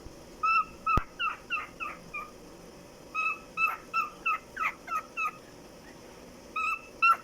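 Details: A happy pet cockatiel, singing while perched on a chair, gives a string of clear whistled notes with short chirps between phrases.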